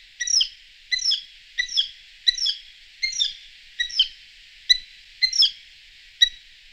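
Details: Eurasian hobby giving a series of sharp, harmonically rich call notes, each with a brief rising-falling inflection, spaced roughly every three-quarters of a second; clean background with no other noticeable sounds.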